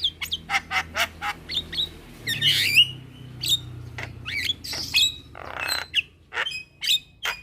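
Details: Javan mynas calling at midday as a young bird summons companions and others reply: rapid dry clicks and squawks, rough buzzy bursts, and interspersed thin whistled upslurs at varying pitches.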